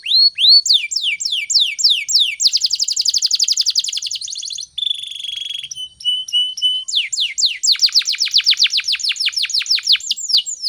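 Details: Canary in full song in the morning, used to prompt other canaries to sing: descending whistles, then a fast dense trill, a steady buzzy tone, a short flat note series and a rapid rolling run of sharp notes.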